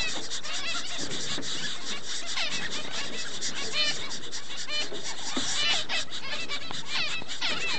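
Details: Double-barred finches raising chicks keep up a busy, overlapping chatter of short, nasal, buzzy calls, several birds calling at once with barely a pause; 4 June 2011.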